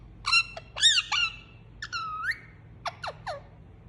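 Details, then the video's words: Pet Indian ringneck parakeet enjoying a cuddle and making soothing sounds: short harmonic squeaks and chirps, some sweeping down, one long rising whistle-like note, in three clusters with quiet gaps, indoors. "Cute Pet Parrot Enjoying Cuddle And Making Soothing Sound"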